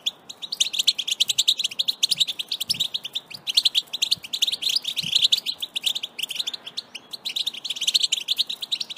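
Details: European goldfinch, a pet bird, performing batbata song played to urge another goldfinch into strong singing. A dense, unbroken stream of quick, high, tinkling chirps and twitters rolls on throughout at a lively, even pace.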